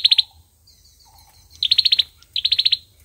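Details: Olive-backed sunbird in fighting song, giving quick groups of high clipped notes, three then six then six, with faint lower chirps and a thin whistle between.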